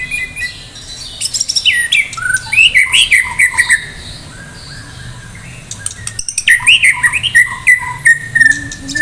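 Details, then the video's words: White-rumped shama from Medan in full, contest-ready song packed with fill phrases: loud, quick whistled notes that rise and fall in rapid runs, sharp clicks, and a brief quiet gap before another lively burst. "murai batu medan gacor siap ikut lomba || murai batu gacor full isian"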